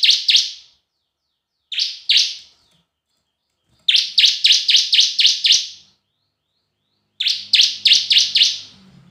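Bar-winged prinia giving high, sharp chirping notes in quick bursts, from pairs to runs of six to eight, with a faint low hum near the end.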